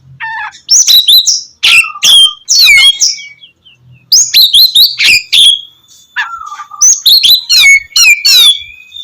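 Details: Loud magpie-robin song meant to coax lazy birds into morning singing: clear whistles, rapid descending sweeps and chattering phrases delivered in energetic bursts with brief gaps, a long pure whistled note midway.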